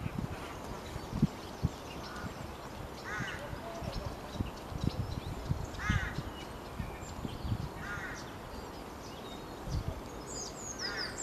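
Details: A Common starling sings in Bishopbriggs Park on 9 March 2020: harsh, grating bursts every two to three seconds, a few thin high whistles near the end, over steady low rumble and wind.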